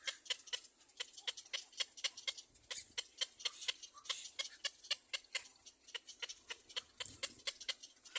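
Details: Young black-crowned bird calling behind its mother, giving a steady run of short, sharp, high-pitched screams, about three to four each second, crisp and evenly spaced throughout.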